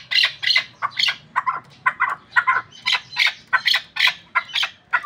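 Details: Chukar partridge of Pamir stock kept for hunting, calling in a quick run of loud, rasping chuck notes, about three each second, with faint low rumble beneath.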